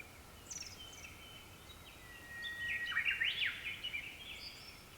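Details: Japanese thrush singing at dusk among several others, a distant phrase of clear whistles followed by a rapid burst of sharp, chattering trilled notes, with a steady faint background tone.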